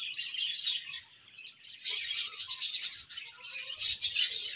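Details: Colony of budgerigars twittering, overlapping high chirps and rapid warbles in a lively continuous chorus with a short softer lull early on.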